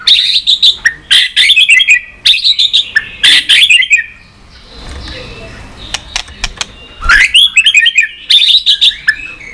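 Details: White-rumped shama song used to stimulate pet shamas: loud, rich whistled phrases with fast rattling notes and sharp clicks, several bursts interrupted by a quieter stretch with clicking sounds.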